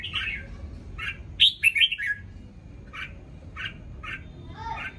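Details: Newly moulted red-whiskered bulbul singing in the morning: short chirpy notes spaced about half a second apart with one brighter warbled phrase, over a steady low background hum.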